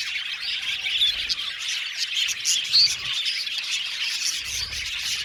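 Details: Colony of budgies in an aviary chattering constantly, the high twittering punctuated by a few clearer whistled chirps and short squawks rising above the crowd.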